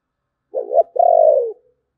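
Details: Spotted dove, 'thổ bầu' voice style: a brief rough double note followed at once by one long, steady, hollow coo that slowly drops in pitch before fading.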